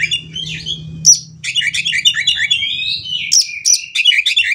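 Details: Kacer, the Oriental magpie-robin, in a konslet-filled song meant to make other kacer sing eagerly; dense run of quick chirps, trills and a smooth rising whistle, over a low steady hum in the first three seconds.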